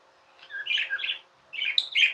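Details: Tame budgerigar chirping in two short warbled bursts, soft and slurred scratchy notes with a rising squeak, a brief pause between them.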